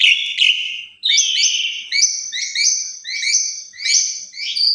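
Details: Asian pied starling in a 'mompa full isian' song used as a lure to get other starlings singing: a brief high note, then a run of buzzy, layered whistled phrases, each slightly rising, repeated about once a second.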